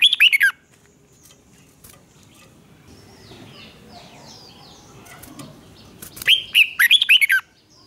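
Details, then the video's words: Red-whiskered bulbul duel song for voice training: a quick phrase of bright, tumbling chirps, then several seconds of soft rustling and faint sounds, then a second lively phrase of about six punchy notes. "Chào mào hót/Kích chào mào hót đấu"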